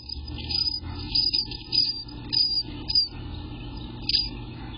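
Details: Eastern Bluebird nestlings, 12 days old, in the nest between 3 and 9 pm on 18 June 2021, give high, thin, raspy calls in short bursts about once a second, over a faint low hum.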